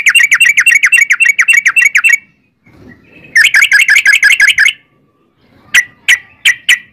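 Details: Long ropel-style rapid song of a yellow-vented bulbul (trucukan), meant as a lure: two fast rattling trains of wavering notes with a pause between, then a few spaced sharp single notes.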